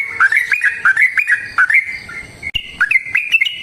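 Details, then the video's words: Yellow-vented bulbul song, a fighting 'ropel panjang' recording used as a lure to get other bulbuls singing. Short, warbling, whistled phrases repeat with brief gaps, then a higher run of liquid notes follows. "Suara Trucukan GACOR Tarung Ropel Panjang Pancingan TRUCUKAN Agar Bunyi"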